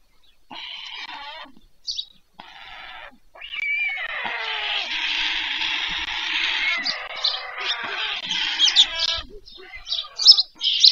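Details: Evening feeding of white stork chicks at a nest in Pyriatynskyi National Nature Park, Ukraine, 21 July 2024: a continuous raspy, hissing begging chorus rising in intensity, with sharper squeaky notes toward the end.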